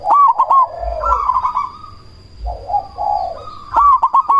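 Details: Black cemani zebra dove lure call to make other doves answer; clipped rolling notes at the start and end with softer descending coos between, a quiet gap mid-clip, constant faint tone.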